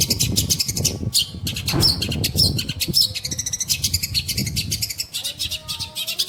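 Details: Long-tailed shrike singing a varied, hurried run of high chirps, trills and short whistles with irregular rhythm, over a low rumbling background noise.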